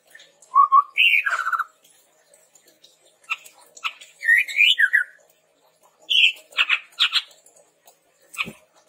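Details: Chestnut-rumped babbler song used as a lure and tutor recording for training birds: clear whistled notes that step up and down, with bursts of quick slurred phrases separated by short pauses, in a quiet background.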